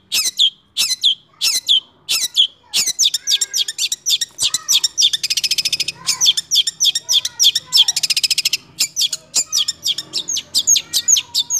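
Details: Six-month-old long-tailed shrike singing in the roll speed and nembak styles: bursts of sharp, high chirps, then two stretches of very fast buzzy rattling trills, with short gaps between phrases.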